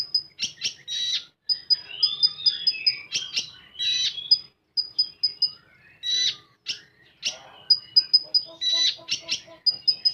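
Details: Common iora delivering full tembakan song: a dense, rapid stream of piercing high whistled notes in quick runs, mixed with buzzy bursts and a rising-falling slurred phrase, almost without pause.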